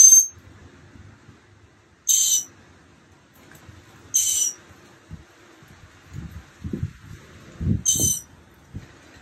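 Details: Mockingbird chicks almost ready to fly, recorded March 28th 2022 on day 15 of a nest project; four short, harsh, high-pitched bursts roughly every two seconds, with low thumps and handling noise between them.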